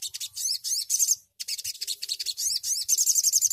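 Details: Little Spiderhunter (sogon) singing in full rolling form: a fast, high, sharp chattering song of rapid chirps and rolling trills, about four notes a second, with no other clear sounds.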